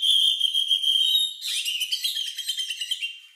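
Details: Oriental magpie-robin (kacer) song, unusual and lovebird-like, used as a lure for other birds: a steady piercing whistle held over a second, then a rapid chattering run of trilled high notes.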